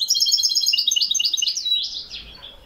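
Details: A European goldfinch recorded in Morocco in 2021 sings a fast, liquid run of high tinkling twitters, then buzzy rising and falling slurs that fade out.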